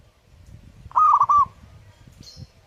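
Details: A single short phrase from a singing zebra dove (perkutut): a loud cluster of rapid, bubbling coo notes lasting about half a second, then quiet with soft low thumps and a faint high chirp.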